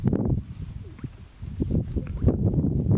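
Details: Male greater sage-grouse displaying on a lek for a female walking by, two males present; rapid low thumps and whooshing pulses, a brief lull midway, then dense low popping again.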